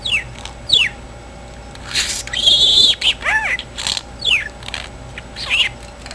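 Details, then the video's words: Pet talking parakeet, male, said to be very sleepy despite sleeping in that morning, giving short downslurred chirps and one longer buzzy, level note, with scattered soft twitters across six seconds in a quiet room. "So Sleepy Bird"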